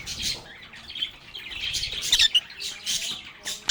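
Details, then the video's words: Group of lovebirds chattering while singing and playing, a continuous high twittering with scattered squawks and a few sharp clicks, the chorus rising and falling in loudness. "Lovebirds agapornis sounds | Relaxing Sounds of Singing, Playing, and Talking Parakeets"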